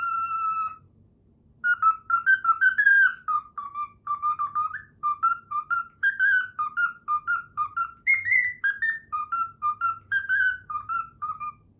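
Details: Pet cockatiel whistling a learned tune, the Pythagora Switch opening theme, indoors: clear, pure whistled notes in a bouncing melody, rising and falling in short phrases after a brief opening note and pause.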